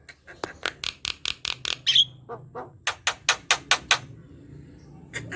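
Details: Javan myna talkative song meant to prompt lazy mynas to sing: rapid dry clicks in quick series, a brief whistled squeak, then more evenly spaced clicking notes.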